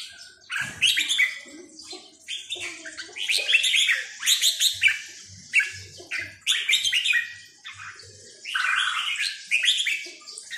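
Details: Sai nap dok style singing by a red-whiskered bulbul, a lively run of rich chirped and whistled phrases spread over ten seconds, with soft low knocking sounds in the background.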